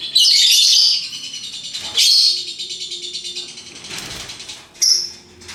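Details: Lovebirds of varied colours: loud, harsh, high chattering bursts at the start and again later, with quieter fast trilling chatter filling the gaps.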